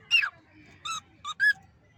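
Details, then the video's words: Cockatiel kept as a hand-fed bird: four short, clear chirps, the first a falling squeak and the last three steady harmonic notes close together, in a quiet indoor setting. "Cockatiel real cute sound"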